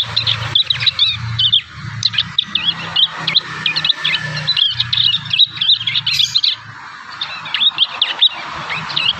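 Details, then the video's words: Juvenile prinias in a natural setting learning their song. Rapid, scratchy, high chirps come in irregular bursts throughout, with short twittering phrases and brief pauses, over a steady low hum. "MASTERAN PRENJAK PAUD ALAMI"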